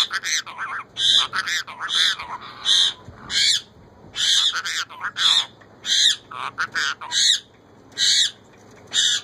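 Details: Pet female ringneck parakeet asking for bread, saying "roti dedo"; rough, reedy speech-like syllables repeat in regular bursts, roughly one per second, separated by clear silences, with a low hum in the background.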